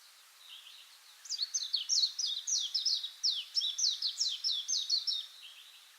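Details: Small songbird singing in Yashio Ikoi no Mori forest on 21 April 2017: a quick run of high, sharp, descending chirped notes, about fifteen in four seconds, over faint background hiss.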